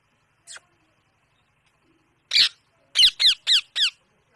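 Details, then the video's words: Indian parrot vocalising: a faint short chirp, then a single rough burst after a long pause, then four evenly spaced harsh notes that slide downward, about a quarter second apart, in an otherwise quiet room. "natural talking sound"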